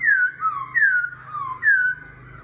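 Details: Laughingthrush in competitive singing with a wild-type voice and continuous voice changes, in the 'kéo thuốc lào' style. Three loud, clear downward-sliding whistles, each followed by a lower warble, come about every 0.8 seconds over a faint low hum.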